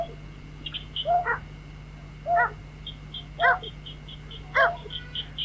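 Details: White-breasted waterhen calls played as a lure for trapping birds at night: four loud harsh layered notes spaced over a second apart, with high chirps from another bird and a steady hum.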